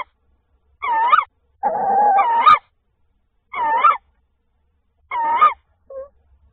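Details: Tawny owl calling on 28 February 2024 as the male delivers prey: harsh, nasal, wheezy calls, each under a second with one longer drawn-out note, repeated roughly every one to two seconds against silence, ending with a short faint note.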